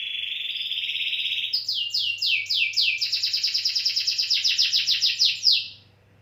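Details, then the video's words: Canary opens with a sustained buzzy roll, then switches to a long series of rapid high downslurred notes that quicken and run together before stopping; soft low hum throughout. "Canary style"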